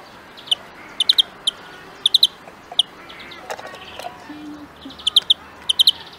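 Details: European greenfinch recorded for huylandırma training gives scattered sharp chirps and brief trilled groups. A short stretch of softer mixed noise in the middle interrupts the phrases.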